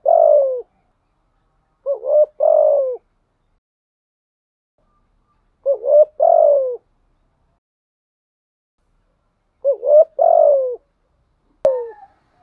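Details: Decoy spotted dove with a 'giọng thổ' voice cooing steadily. Deep phrases, each made of short lead-in notes and a longer hoarse falling coo, come about every four seconds. A brief click sounds near the end.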